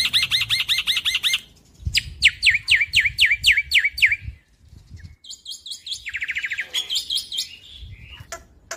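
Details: A young black-winged myna (Sturnus melanopterus), a mimic endemic to Indonesia, sings varied bright bursts: quick looping chirps, a run of sharp down-slurred whistles, then a buzzy rapid trill.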